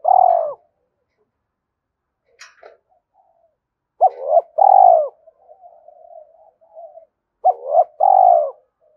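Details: Spotted dove cooing to rouse a wild dove: three low hollow coo phrases, each a quick double note followed by a longer smooth coo, with soft murmured notes and a brief click in the gaps.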